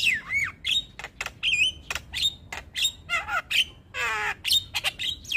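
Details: Black-winged starling, a white-eyed singing-contest champion, in a full-repertoire training song played each morning: loud whistled notes that swoop up and down, mixed with harsh rasping bursts and one long wavering trill near the end.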